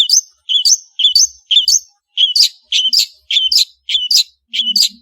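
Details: Cendet, or long-tailed shrike, in vigorous song: evenly spaced, clipped chirps, each a low note jumping to a higher one, repeated almost twice a second, with a faint low hum near the end.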